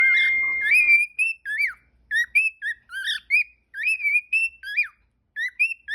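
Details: A tame pet cockatiel gives a string of short, clear whistled notes that rise and dip, with brief gaps between.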